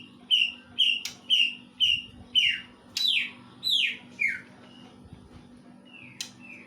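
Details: Greater green leafbird song copying a kingfisher, a series of about eight loud, sharp whistled notes, the later ones downslurred, repeated roughly twice a second, then softer notes, over low hum.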